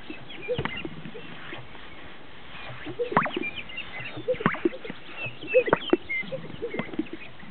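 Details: Greater sage-grouse displaying at a lek, northern Utah; irregular series of swishes and paired bubbling pops from several birds, some overlapping, over a constant low hiss.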